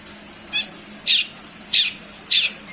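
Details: Long-tailed shrike in a song recording meant to train other songbirds, giving four harsh, rasping notes, each spaced roughly six tenths of a second apart.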